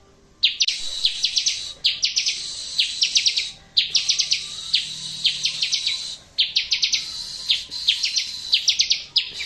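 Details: Bar-winged prinia song meant to draw answers from quiet birds: four long bursts of rapid, evenly spaced high chipping notes over about nine seconds, each burst backed by a continuous thin high hiss.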